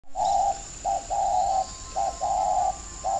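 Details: Spotted dove kept as a lure bird for trapping, from a dove aviary in Ba Vì, Hanoi, Vietnam: loud, hollow, even-pitched coos in a short-long-short-long pattern, about one phrase per second, over a steady high electrical whine.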